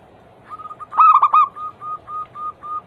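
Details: Zebra dove (perkutut) anggungan song meant to prompt other doves into singing: faint notes build to a loud four-note burst, followed by six softer coos spaced roughly every quarter second.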